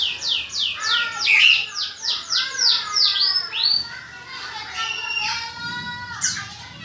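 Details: Contest songbirds in training, singing against one another: rapid series of falling high notes at about three per second, then a varied twittering phrase and rising whistles, with soft talk in the background.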